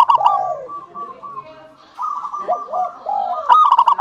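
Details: Local zebra dove singing to lure other doves into calling: continuous soft rolling coos with dipping, curved notes, ending in a sharp run of quick clipped staccato beats over further cooing.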